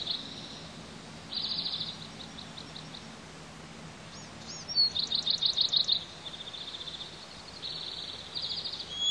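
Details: Bald eagle eaglets panting and peeping on the Pelican Harbor nest on a hot day: high thin peeps in quick bursts of repeated notes, separated by short pauses, over a low steady background hum.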